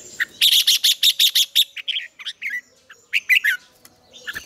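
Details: Red-whiskered bulbul morning song in the double-note, mature wild style, used as a lure recording for training bulbuls. A rapid run of bright, clipped notes is followed by short, looping, warbled phrases with brief pauses. Fainter birds are calling behind.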